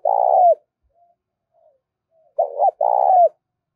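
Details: Spotted dove used as a lure for wild doves giving a long vibrating coo that falls away, then after a pause a quick coo and another long burred, down-slurred coo, with little background noise.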